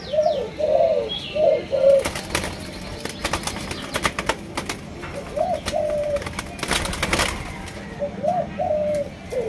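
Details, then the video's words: Malaysian-line spotted dove, from a keeper's stock of several lines, gives short mid-pitched cooing phrases at the start and again near the end, partly masked by loud clattering and knocking bursts in between. "Cu Gáy Malaysia Nhiều Dòng"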